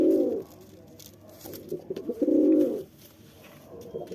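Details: A courting male pigeon coos at a female: a short low coo, then a longer steady one, with a faint third beginning at the end.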